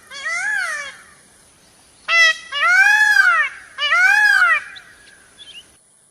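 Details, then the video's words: Loud, plaintive arched cries from a peacock: one softer wail, then a sharp short note and two long rising-falling calls, ending in a faint brief squeak. "peacock's sound"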